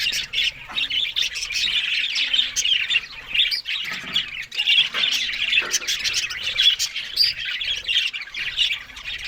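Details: Australian budgerigars feeding on green food in the morning; dense, continuous warbling chatter with scratchy squawks and bright chirps overlapping throughout, as several birds call at once.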